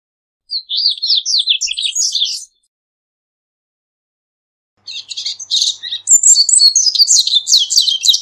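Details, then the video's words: Two bursts of high, rapid song from a Double-collared Seedeater (corbatita): a two-second jumble of squeaky upslurred notes, a long quiet gap, then a fuller, louder stretch of twittering trills. "CORBATITA CANTANDO - MEDIA HORA DE CANTO DE CORBATITA"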